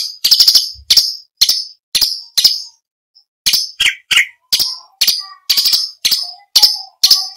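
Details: A run of harsh, clipped, high notes from an orange-bellied leafbird, partly stuttered, with a few lower whistled slurs and soft tones after a short pause; used as contest training material for other songbirds.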